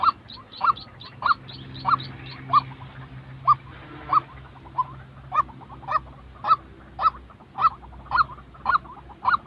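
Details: Genuine white-breasted waterhen calls for training fresh decoy birds: a long series of clipped notes, quicker and crowded at first, then evenly spaced about twice per second.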